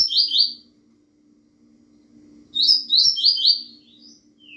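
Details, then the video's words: Double-collared seedeater (coleiro baiano) singing fast, quick bursts of high, buzzy, slurred notes, a short phrase then a longer one after a pause, over a faint steady hum. "coleiro Bahiano rapido"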